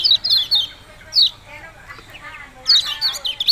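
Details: Yellow-bellied prinia, kecial kuning, with short bursts of high descending chips separated by a pause with faint lower chattering.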